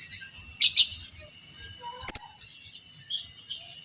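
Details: Biola PB creamino fighter lovebird calling in ngekek style, used for training other lovebirds: sharp, squeaky chips and short scratchy chatter bursts, with a steady high whine in the background.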